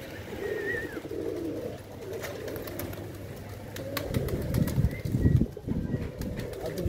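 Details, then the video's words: Low, throaty pigeon coos repeated irregularly, a brief higher bird whistle early on, and scuffling knocks and rustles toward the end. "the sound of pigeon"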